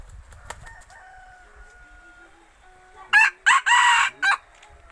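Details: Decoy red junglefowl cock crowing: after a quiet stretch with a faint steady tone and low rumble, a loud four-part crow of short harsh bursts and one longer strained note, ending in a clipped final syllable.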